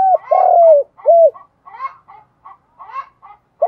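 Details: Spotted dove cooing in the morning in the field-voice style to lure other doves. One long drawn coo followed by a short hoot, then scratchy chattering notes from other birds and the start of another coo.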